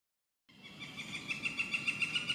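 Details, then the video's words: A yellow-shafted Northern Flicker gives a fast, even run of sharp, high notes, about seven a second, growing louder, over a soft background hiss. "Northern Flicker Yellow Shafted"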